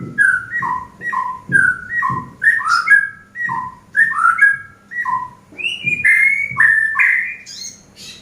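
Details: Eurasian tree sparrow kept as a master bird for training, delivering a steady run of clear whistled, falling two-part notes roughly twice a second, rising higher and more varied toward the end, with low thumps underneath.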